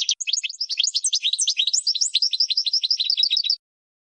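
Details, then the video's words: Goldfinch training song for teaching cage birds: a continuous tumbling stream of high, liquid twitters and quick chirps delivered without pause for several seconds, then silence. "12h GOLDFINCH 1st Champion"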